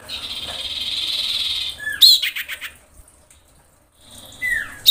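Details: Breeding female common iora calling males: a long steady hissing note, then a sharp upslurred whistle and a rapid chattering burst, silence, and a downslurred whistle near the end.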